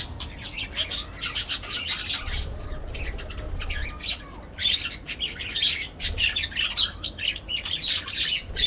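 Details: Busy parakeet chatter, with rapid high chirps and harsh squawks overlapping almost without break, rising and falling in loudness over a soft low hum.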